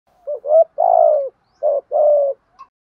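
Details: Spotted doves, male and female, cooing to stimulate and train captive doves: a soft low phrase of short rising notes, a long purring note, then two steady coos, over silence.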